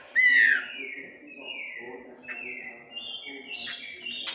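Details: Wambi, the melodious laughingthrush, gives a loud downslurred whistle followed by quieter, long level whistled notes over a low background hum.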